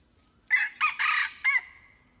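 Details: Hybrid junglefowl crowing: a loud, harsh four-part crow of about one second, with short opening notes and a longer strained middle phrase, ending in a fading tail against a quiet background.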